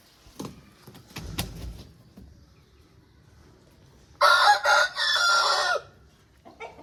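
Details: Aseel rooster crowing: after quiet scuffling and a few low thumps, one loud harsh crow of about one and a half seconds, broken into short bursts before a long drawn-out final note.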